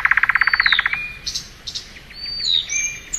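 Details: Thrush nightingale in spring opening with a fast, loud rattle of about fifteen even pulses, then soft buzzy notes and thin rising and falling whistles.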